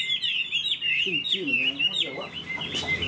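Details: Short burst of whistled, wavering song from a tame caged hwamei, with a man's voice speaking underneath in the middle.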